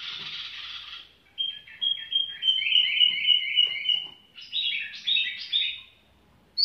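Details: Tiểu mi bird singing casually: a buzzy opening, then a long sequence of rapid, rippling whistled notes and a few emphatic slurred phrases, ending in a brief pause.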